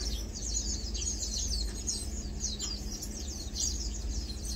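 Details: A group of Lowland white-eyes, feeding and preening, keeps up dense, high-pitched twittering, with quick downward-sweeping chips tumbling over one another and a low hum underneath.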